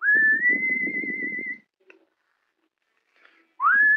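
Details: Trained cockatiel imitating the whistle from Wind of Change by Scorpions, holding one long, pure, slightly wavering tone for about a second and a half, then a pause before a fresh upward-sliding note begins, with low rough buzzing beneath.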